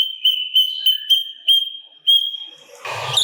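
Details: Sooty-capped babbler singing gacor with kasaran fills, used as a master recording for mimic birds: a steady high whistle carrying bright repeated notes about three per second, ending in a burst of harsh broadband noise.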